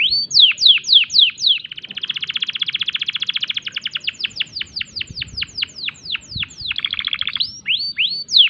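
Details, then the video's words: Breeding-condition canary song opening with several sharp descending whistles, moving into a fast buzzy trill, then a series of spaced downward-sweeping notes and brief rolling trills near the end. "tembakan unik kenari gacor birahi"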